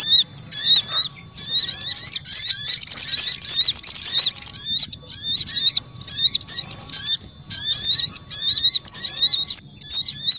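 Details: High, excited crimson sunbird twittering used to attract wild birds, with a loud fast trill early on followed by repeated scratchy chirp phrases and short pauses.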